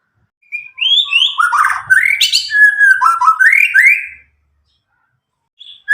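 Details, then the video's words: Loud, clear song of an untutored Medan white-rumped shama about nine months old, past juvenile spotted plumage, used to prompt young birds to sing: a dense burst of swooping whistles and chattery notes lasting about four seconds. "murai batu Medan gacor walau lepas trotol cocok untuk pancingan murai batu macet(suara alam)"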